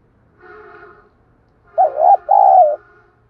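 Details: Spotted dove coo used as a lure to provoke wild doves into fighting and cooing back. A faint, humming, harmonic tone comes first, then a loud, low, two-part coo with a wavering start and a steady, drawn-out end.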